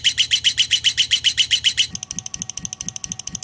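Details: Rapid, loud lovebird chirping for the first two seconds, shrill and evenly spaced, then a softer, clipped pulsing series with a faint steady tone beneath.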